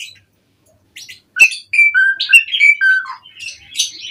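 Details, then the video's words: Asian pied starling performing 'mompa' song as a lure for other birds: a brief silence, then clear falling whistles and slurred notes mixed with raspy chatter, ending in squeaky high phrases. "Pancingan Jalak Suren Mompa RingTone Bikin Suara Burung OCEHAN satu Rumah LANGSUNG Nyaut"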